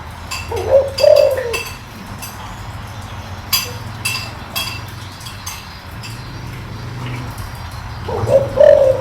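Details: Spotted dove giving deep coos meant to quickly set wild-caught doves calling. Two low, husky phrases open and close the stretch, each a short note followed by a longer coo, with scattered clicks and faint hum between.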